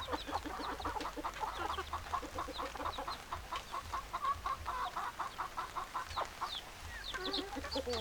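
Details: Clucking hens in a flock alongside crowing roosters: dense, rhythmic run of short throaty clucks, several per second, from many birds at once, with a few higher wavering squawks near the end.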